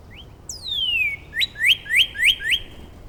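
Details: Northern Cardinal in Angrignon Park in March, neighbouring birds exchanging song variants: a long whistle sliding down from high to low, then five loud upslurred whistles repeated about every quarter second, all clear and close.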